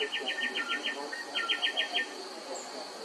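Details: Greater racket-tailed drongos in a morning duet at a house, trading bright, metallic notes in two quick runs of about six each, with a few clear whistles between, over soft background chatter.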